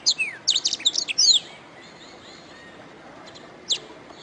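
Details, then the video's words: Canary song meant for tutoring songbirds: one quick burst of sharp, high sweeping chirps, then near quiet with a few thin whistles and a single late chirp. "Masteran Suara Kenari"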